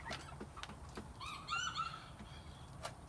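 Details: Quails recorded in spring 2021: one short, wavering harmonic call mid-clip, set against constant low background hum and occasional sharp knocks.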